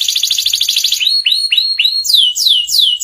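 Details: Canary song meant to teach young canaries ngeriwik: a rapid pulsed trill followed by repeated falling swoops, spaced roughly a quarter second apart.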